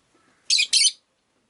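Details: Pet rosy-faced lovebird in Japan gives two loud, harsh, buzzy chirps in quick succession, each under a quarter second, high-pitched and noisy, with a quiet room behind.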